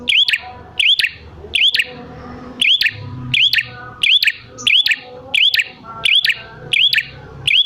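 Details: Prinia calling to draw wild prinias into replying: a steady run of about ten sharp, hooked, ringing chip phrases, one roughly every 0.7 seconds, over faint murmuring background noise.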